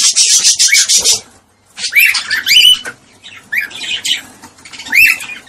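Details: Cockatiel mating call, used to stimulate pairing: a burst of rapid harsh buzzy pulses, then a second of quiet, then loud rising whistled notes with scratchy chatter, repeated in uneven phrases.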